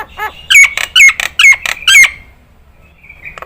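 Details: Nias hill myna song used to train other birds: four loud, clipped, downslurred whistles mixed with short harsh notes, about two per second, then near silence.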